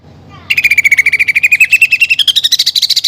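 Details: After a quiet half second, a greater green leafbird launches a fast, pulsed trill that climbs in pitch toward the end, part of a training song full of fighting-sparrow and woodpecker fill-ins.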